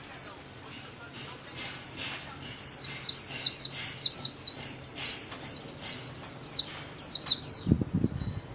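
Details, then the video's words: Caged pet white-eye singing solo in the khuyên líu style, kept as an ornamental bird and trained daily: a fast run of very high, sharp twittering notes, about two per second, after a few opening phrases, with a brief low thump near the end. "KHUYÊN LÍU SOLO RẤT HAY - LUYỆN KHUYÊN LÍU MỖI NGÀY"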